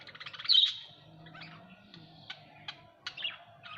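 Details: Budgerigars kept at home: sharp high chirps and short warbling notes, a loud clear chirp near the start, then scattered quieter chirps with brief pauses between.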